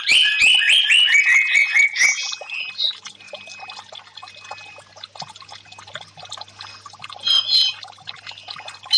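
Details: Orange-headed thrush, in a recording meant to coax a silent, stressed bird to sing, opens with a loud, fast series of descending whistled notes, then fades to soft scattered chirps over a steady background hum, with a brief high burst near the end.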